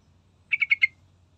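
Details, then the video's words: Yellow-vented bulbul song used as a lure to prompt other birds to sing: one brief phrase of four quick, slightly descending chirpy notes, with a faint low hum behind. "Dengar Trucukan Gacor Full Isian"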